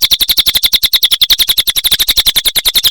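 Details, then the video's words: Cililin bird singing hard (gacor), producing a nonstop stream of quick, high, ticking notes, around nine per second, uniform in loudness across the whole stretch. "Suara Burung Cililin Gacor Durasi Panjang"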